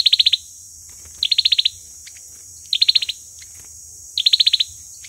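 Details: Olive-backed sunbird fighting song, used as a lure call for trapping: short bursts of six or seven rapid high, sharp notes, repeated at uneven intervals, with a steady high hiss in the background.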